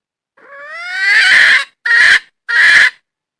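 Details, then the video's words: Wild red junglefowl hen calling: a long harmonic note rising and swelling over about a second, followed by two short, loud, nasal notes in quick succession, with no other sounds. "Suab poj qaib qus seev tsauj dib tuaj zoo"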